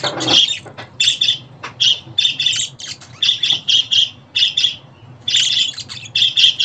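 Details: Budgerigar call sounds for a newly arrived or young pet: a sharp click opens, then grating chirps in clustered bursts with a brief pause near the end, over a faint hum.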